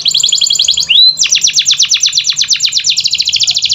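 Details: Canary singing to coax quiet canaries into song: a fast buzzy trill of repeated notes, a brief rising slurred whistle, then a long rapid rattle of descending strokes.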